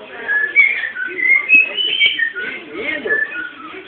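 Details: Pet cockatiel, bred by its keeper and owned by a relative, whistling a melodic warbling song of sliding and rising notes with short pauses between phrases, indoors.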